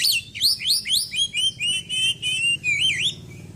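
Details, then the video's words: White-breasted Oriental magpie-robin kept in care after moulting, delivering a loud string of sharp rising whistles, then steady level whistled notes and a final wavering trill; faint low hum beneath. "KACER GACOR ISIAN BURUNG KECIL PEDES"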